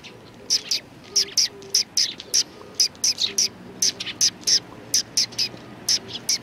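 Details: Chirping sparrows of a neighbouring flock, Tenmangu shrine, Japan, March 14, 2019: quick bright chirps, often doubled, repeated at a lively pace against a faint low background hum.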